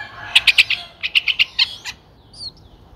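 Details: Nestling Streak-eared Bulbuls aged nine days, Ubon Ratchathani, Thailand, 11 April 2023: two rapid runs of bright, scratchy chirps, about four to five notes each, followed by a thin high wavering whistle.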